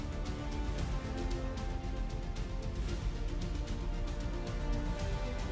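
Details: Background music plays throughout, with no animal calls.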